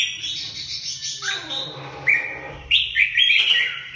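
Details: Red-whiskered bulbul delivering quick whistled notes and rolling warbles that grow louder and busier in the second half, over low background rumble and a soft murmur at the start.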